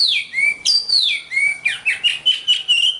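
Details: Oriental magpie-robin song from a master recording for training contest birds: varied clear whistles, sliding and downslurred, then a run of short repeated whistled notes about every quarter second.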